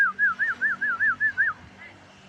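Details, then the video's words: Lure song of a yellow-vented bulbul meant to stimulate other birds to sing: eight rolling, wave-shaped whistled notes in quick even succession, then a faint trailing note over a low background hum. "Suara pancingan burung trucuk agar cepat Garuda"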